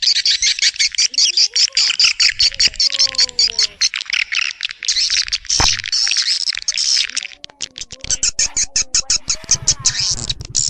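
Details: Swiftlet lure call for attracting swiftlets to nest: continuous high, rattling twitters in fast pulses. Some lower gliding tones and a sharp click appear, then the twittering resumes.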